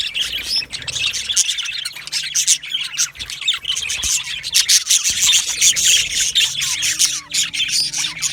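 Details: Chirping flock of yellow male budgies: harsh squawks and clicking chirps pile up into a dense, steady chatter, with a faint low hum beneath.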